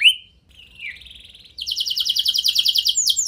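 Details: Canary singing to make other canaries respond; a sharp whistled note and soft low warbling give way to a fast, rhythmic trill of buzzy repeated syllables ending with a rising sweep.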